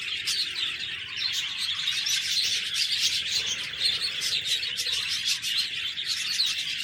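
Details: Budgerigar chirping: a steady, busy stream of high, scratchy warbles and quick tweets with overlapping voices, unbroken throughout.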